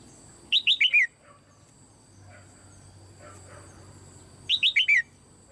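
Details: Caged female red-whiskered bulbul, her calls meant to stimulate other birds to sing. Two crisp phrases of four quick whistled notes, each slurring downward, separated by about four seconds of near silence.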